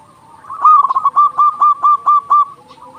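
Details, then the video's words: Local zebra dove in full loud song, meant to arouse and encourage other doves to sing: a quick stutter of coos, then about seven evenly spaced, hooked coo notes in a steady row. "Perkutut lokal gacor suara besar Masteran burung perkutut agar cepat bunyi"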